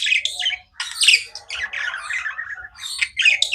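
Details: Short stretch of pet budgie chirping, warbling buzzy notes sliding up and down with scratchy squeaks, nearly continuous.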